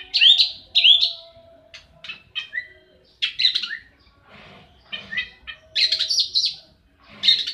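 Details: Oriental magpie-robin fighting, pouring out varied scratchy, buzzy phrases and short sliding whistles in irregular bursts, with a faint steady tone underneath.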